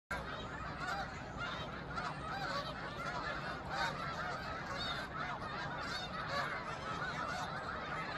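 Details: A large flock of snow geese on the shore of Cayuga Lake, Seneca Falls, NY, in March, calling all at once: a dense, continuous chorus of high, nasal yelping honks with no pause.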